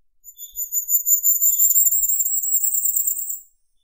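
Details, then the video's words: Single high, sibilant Firecrest phrase of rapid repeated notes, swelling then fading over about three seconds, with a couple of faint lower chirps beneath. "Как поёт Королёк красноголовый (Regulus ignicapillus)"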